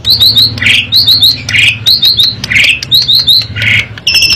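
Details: Asian pied starling repeating quick high whistled triplets broken by harsh rasping notes, with a steady low hum beneath, used as a song to stimulate other birds.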